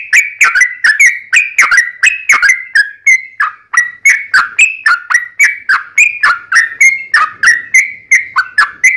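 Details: Sooty-headed bulbul song used as a lure to make other bulbuls answer: a fast, continuous run of bright whistled notes, each sliding down then levelling, repeated about three to four times a second with no other sounds.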